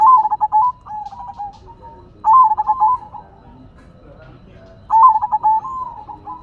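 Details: Lively silver zebra dove (perkutut) song: three bursts of rapid, chattering coo notes, each trailing into a softer drawn-out coo, about two and a half seconds apart.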